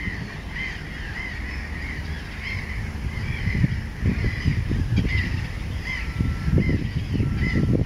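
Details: Breeding colony of Mediterranean gulls on a river raft at Montjean-sur-Loire, Maine-et-Loire, 3 July 2013, shared with black-headed gulls and common terns; short nasal calls repeat about twice a second among thumping, rumbling background noise.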